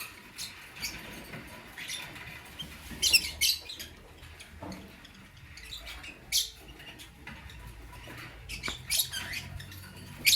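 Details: Lutino and blue opaline lovebirds in the morning, giving sharp, high chirps in short scattered bursts near the third, sixth and ninth seconds over a steady background hiss and soft rustling.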